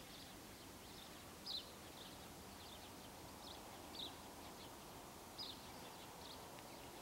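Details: Green bee-eater (Merops orientalis) at Wadi Bih, UAE, on 5 February 2013, giving three brief, high, trilled chirps a couple of seconds apart over a steady background hiss.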